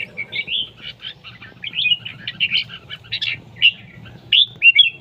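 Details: Red-whiskered bulbul competing in song: crisp, slurred whistles and short chirps in a steady series, several loud bright notes toward the end, against a faint low hum.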